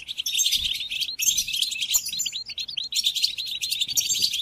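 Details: European goldfinch song played to captive goldfinches for song training during the moult: dense, rapid twittering and buzzy trills, high and bright, in three long bursts separated by short breaks, with sharp liquid chirps mixed in.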